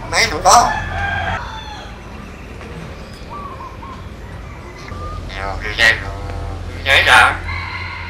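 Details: Talking common hill myna imitating human speech: loud, harsh, harmonic-rich bursts at the start, then quieter gaps and two more strident calls near the end over low background hum.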